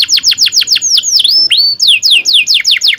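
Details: Canary song used as a tutor for young canaries learning to sing: bright repeated downslurred whistles at about four per second, then sweeping rising and falling notes and more fast falling phrases, loud and clear.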